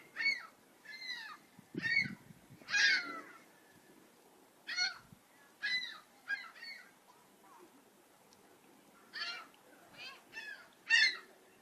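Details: Gulls give loud, hoarse, nasal calls as single notes or short pairs, separated by quiet gaps of one to two seconds, with one low thud near the start.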